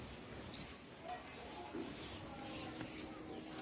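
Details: Bird chirping: two short, very high, thin chirps, each sliding quickly downward, spaced about two and a half seconds apart over a quiet hiss.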